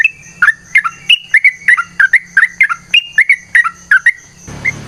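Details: Sooty-headed bulbul, a fighting-style song with long rolling phrases: rapid series of short bright whistled notes sliding down and up, repeated nearly three times a second, ending in a burst of noise.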